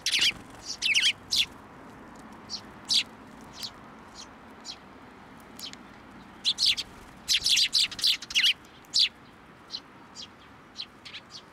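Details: Wild sparrows flying onto a hand to be fed at a Tenmangu shrine in Japan, June 10, 2024; short, sharp, high chirps come in scattered bursts, thickest between seven and nine seconds, over a soft steady hiss.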